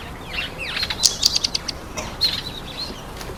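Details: Speckled mousebirds eating an apple make a quick series of sharp high ticks and chirps, followed by a thin drawn-out twitter.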